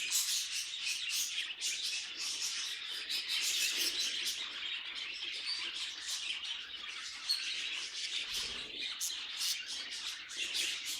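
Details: Pet budgerigar chattering steadily throughout, a thick stream of rapid high chirps, clicks and warbled notes with no real pauses.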